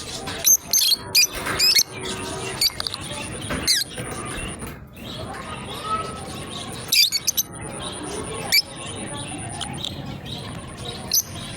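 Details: Two lovebirds playing together as a pair: brief, piercing high chirps come in scattered bursts, some doubled, separated by pauses with a constant background hiss.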